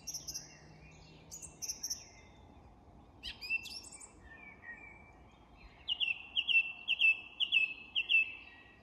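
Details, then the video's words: Song thrush singing at dusk in English woodland during the dusk chorus: scattered high chirps and squeaky notes, then a bright whistled phrase repeated five times in quick succession near the end. "The Song Thrush & Dusk Chorus"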